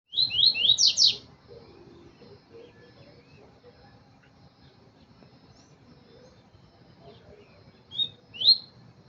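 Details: Double-collared seedeater song: a quick burst of five high, slurred downward-sweeping notes, then a long quiet stretch with low background hum before two more sharp notes near the end.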